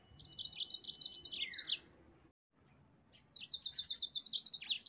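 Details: Yellow-fronted canary gacor song used to provoke rivals: a fast rolling trill of high notes ending in a falling slur, a near-silent gap of about a second, then another rapid even trill.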